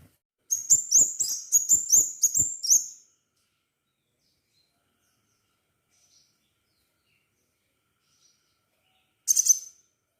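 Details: Crimson sunbird singing actively, a recording used as a lure to prompt other sunbirds to sing: a quick run of about eight very high, thin, sharp chirps over two and a half seconds, silence, then a short, similar burst near the end.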